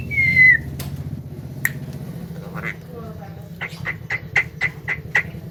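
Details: Javan myna, said to talk and to beat a hill myna in voice: a falling whistle, scattered clicks, then a rapid row of about seven short, evenly spaced high notes.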